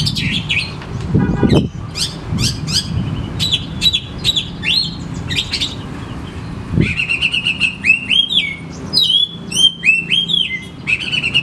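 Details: Lure recording of oriental magpie-robin song for birds reluctant to sing. A long, varied sequence of sharp clicks, chattering bursts, and rising and falling whistled slurs, with rapid repeated notes near the end. A steady low hum runs beneath.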